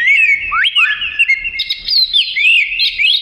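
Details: Oriental magpie-robin (kacer), lively gacor song fit for isian: continuous whistling with sudden upward swoops, long even tones, and looping mid-high phrases, loud and unbroken.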